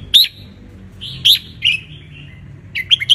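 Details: Wild-caught red-whiskered bulbul from Ratchaburi, Thailand, sunbathing, played as a tutor song for young birds to copy: short, clear whistled phrases with sharp rising and falling notes, spaced about a second apart, ending in a quick three-note flourish.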